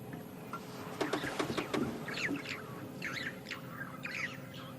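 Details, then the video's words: Bright blue starlings at sunset on a drive in the African bush at Djuma and Arathusa, about to go to roost, give harsh, very noisy, raucous chattering calls in scattered bursts, with a run of sharp clicking notes early on and faint background hum. "You can hear the starlings around us about to go to bed, the very bright blue birds, but the very, very noisy and raucous call."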